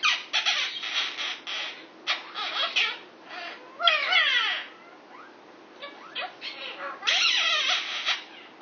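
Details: Six-year-old male Indian ringneck parakeet indoors, flirting with a female Quaker parrot next to him: continuous mixed squawks and warbling, swooping notes in quick bursts, a short lull, then more loud grating calls.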